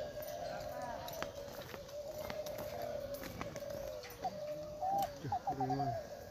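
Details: At a 2021 Derkuku Klantan singing contest at Gunung Kembar in East Lombok, Indonesia, massed spotted doves coo in a low continuous drone. Distinct rolling coo phrases stand out near the end, with faint crowd noise behind.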